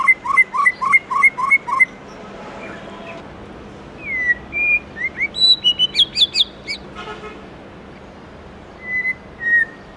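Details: A White-rumped shama singing in the morning in a wild-type voice: a quick run of clear repeated notes, then rich varied whistles, slurred and rising phrases, and a few soft falling whistles near the end.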